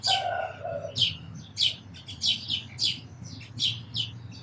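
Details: Sparrow calls: quick bursts of high, clipped chirps, some paired, over faint low hum; a brief lower whistled note opens the sequence.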